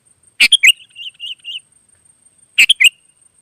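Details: Wild sooty-headed bulbul answering: a sharp three-note chirped phrase followed by a soft run of low warbling notes, then the chirped phrase again two seconds later.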